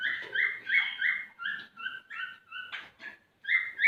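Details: A male cockatiel sings to urge a female to breed, giving brisk whistled syllables, some rising and some flat, with a short scratchy sound near the end before the whistles return.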